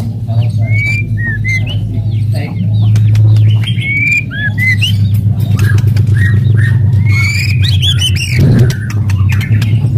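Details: White-rumped shama singing aggressively to provoke other shamas: scattered whistled slurs and short rising notes with clicks, over a loud steady low hum throughout.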